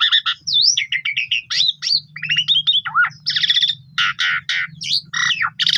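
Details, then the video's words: Energetic Asian pied starling song for prompting silent birds to sing: a fast medley of fluty rising and falling whistles, chattering notes and harsh rattles run together almost without pause. "Pancingan Jalak Suren Paling Bagus !! Jalak Suren Pundung 100% Gacor"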